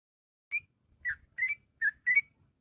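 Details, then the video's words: Sooty-headed bulbul singing in the morning, ngropel style: five quieter whistled notes, some upslurred, others with a brief drop, spaced about half a second apart. "Burung Trucuk Ngropel Panjang & Merdu Di Waktu Pagi"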